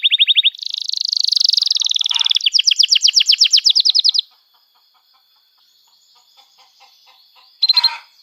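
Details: Canary singing long, emotional phrases for young birds to learn: a brief trill, a broad buzzy warble, then a loud fast rattle of rising notes, silence, and a short final burst.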